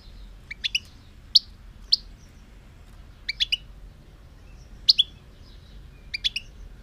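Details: Soft, high European goldfinch twitters in small clusters of two or three clicky, metallic notes, spread unevenly across seven seconds with quiet gaps between.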